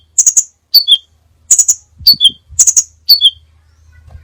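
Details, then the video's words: Crimson sunbird (sepah raja) song from a many-variation training recording: short bursts of three quick high chips followed by a falling two-part tsee-tsip, repeated three times; faint low thumps in the background. "masteran burung sepah raja banyak variasi ( suara audio kicau burung )"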